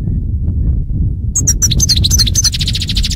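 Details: European goldfinch song used to train goldfinches: a dense, fast twittering phrase of high tinkling and dipping notes that ends in a buzzy trill, above a loud low-pitched background hum.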